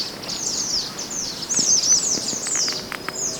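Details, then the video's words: Wild mountain white-eye used as master song for other birds: quick, high, descending slurred chirps strung together in a busy twitter, with a few clicking sounds behind. "MASTERAN SPESIAL MANTENAN GUNUNG ASLI ALAM"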